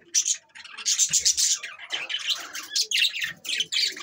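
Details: Budgerigars chattering December 22, 2023: steady overlapping warbles and squeaky chirps, bright and buzzy, running almost without pause.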